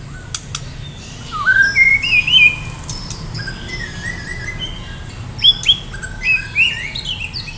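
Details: White-rumped shama of the Medan type singing, ready for contest: clear whistled phrases, some rising and wavering, given in short bursts separated by quieter pauses.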